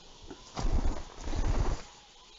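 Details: A western capercaillie at a lek in Estonia, 7 April 2020, gives low, dry knocking and rattling notes in two short bursts. The notes are deep and muffled, with quiet ambient background between.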